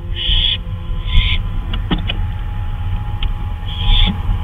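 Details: An owl flying about at night, 2:39 AM on May 26, 2013, gives three raspy, hissing screeches, with faint clicks and a constant low background rumble between them.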